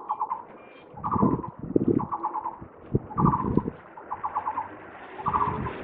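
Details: On a cable, 27 July 2023, a Taiwan barbet repeats short rattling bursts of fast, mid-pitched pulses at roughly one-second intervals, while road traffic rumbles low in the background.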